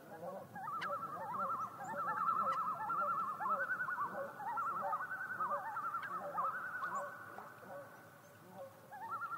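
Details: Several common loons at night calling together in a sustained chorus of quavering tremolo laughs that rise and fall in loudness for about eight seconds.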